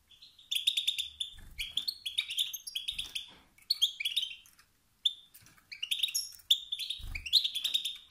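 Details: Male wild European goldfinch giving 'sts-sts' and 'bt-bt' calls that stir rivals to sing. Lively chirping twitters and buzzy trills come in near-continuous bursts, with a few low thumps from handling or movement.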